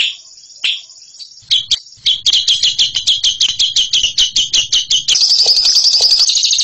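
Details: Champion ngekek-style songbird: two sharp high chips, then a run of quick clipped notes at about two per second that speed up and merge into a continuous shrill, rattling trill at the end.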